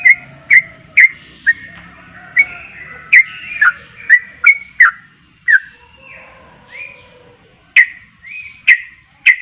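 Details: Singing yellow-vented bulbul, known as trucuk: scattered clicky whistled notes and longer slurred whistles, irregularly spaced, over a faint low rumble of background noise.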